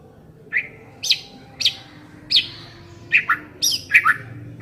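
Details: White-rumped shama sounds used as a lure to get a shama singing: sharp, short, downslurred chips spaced irregularly about every half second, over a low background hum.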